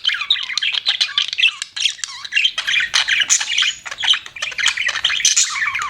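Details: Pet budgies chattering nonstop: a busy stream of high squeaks, twitters and buzzy warbles, with quick rising and falling slurred notes and almost no pauses.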